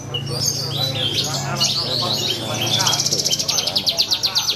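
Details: Singing bush lark at a bird competition: varied high twittering gives way to a steady, rapidly repeated pulsed chip series near the end, low hum and distant chatter underneath.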